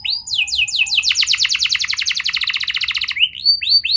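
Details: Canary song meant to trigger young canaries to sing: a quick run of descending whistles that leads into a dense, rapid rolling trill, then clear upslurred notes at the end.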